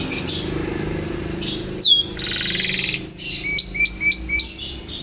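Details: A yellow canary sings: a buzzy, dense trill, a sharp descending whistle, then a run of short, bright upswept notes repeated about twice a second, with faint background rumble.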